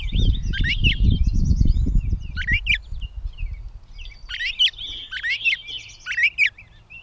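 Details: In Bowdoinham, Maine, on 16 May 2020, a Gray catbird sings a rambling series of scratchy, squeaky and whistled phrases, each different from the last, after an opening stretch of low rumbling noise.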